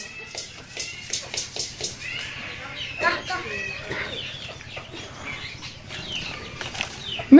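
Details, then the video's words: Talking Indian ringneck parakeet at the Mirpur 1 bird market, Dhaka, on 27 October 2023 mimics speech in short, chattering word-like phrases between sharp clicks, ending on a quick rising whistle. "India ringneck parrot Tia pakhi Talking parrot কথা বলা টিয়া পাখি"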